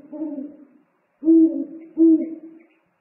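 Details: Owl father bringing food to the nest and exchanging calls, from a nest live stream on 3 March 2019: three low, mellow hoots, the first longer and softer, the next two sharper and closer together.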